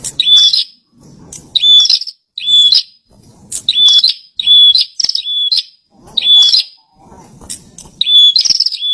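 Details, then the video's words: A kept bar-winged prinia sings energetically, giving rapid phrases of a bright, level, high whistle framed by harsh buzzy notes, about one phrase per second. Soft low rustling fills the gaps. "Pranjenak gacor"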